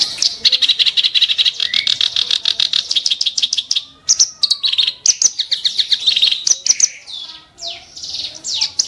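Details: Nonstop harsh chattering song of a clamorous reed warbler, sharp and rough: fast grating notes with occasional high whistled slurs and sweeps.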